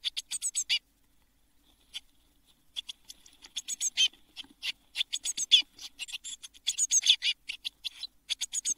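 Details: Eurasian blue tit nestlings in a nest box in June 2022, parents bringing food: a brief run of thin high chirps, a second of silence, then a swelling, busy chorus of scratchy squeaks.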